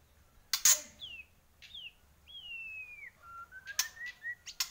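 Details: White-rumped shama from Borneo giving clean separate whistles, falling slurs then a long gently descending note and a short series of rising stepped whistles, with sharp clicking sounds between.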